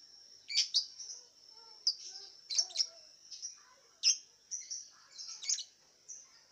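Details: Lovebird kept in a round cage and entered in an online singing contest from Singkawang, West Kalimantan, Indonesia, delivering piercing high chirps and clipped squeaks in quick uneven groups against a constant thin high-pitched whine.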